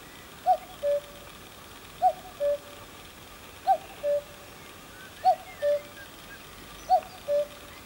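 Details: A male common cuckoo (Cuculus canorus) at Croft Castle, Herefordshire, gives its two-note 'cuck-oo', a higher note falling to a lower one, repeated five times about one and a half seconds apart over a quiet background.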